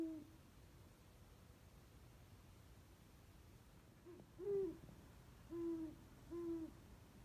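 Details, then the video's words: Owl in the old oak tree of a back yard at 2:34 am, one hoot at the start, then after a silent gap three low, level hoots roughly a second apart, with faint steady hum. "There is an #owl in the back yard in the old oak tree its 2:34 am"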